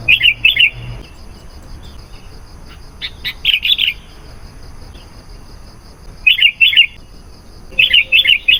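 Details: Chatty sooty-headed bulbul song used as a lure for wild bulbuls: bright, bubbling two-note bursts repeat in separate bouts, with a few soft clicks between phrases.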